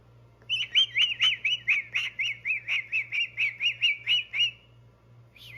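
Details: A male pet cockatoo warming up his vocals indoors whistles a quick run of about fourteen rising-and-falling chirps, roughly four per second, then pauses before starting again, over a low indoor hum.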